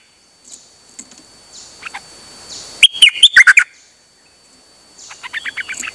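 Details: Songbird, known locally as dok taeng, recorded 8 September 2023, chattering nonstop: quiet scattered chirps, then one loud burst of sharp, rapid, warbled notes around the midpoint, with faint chips resuming near the end.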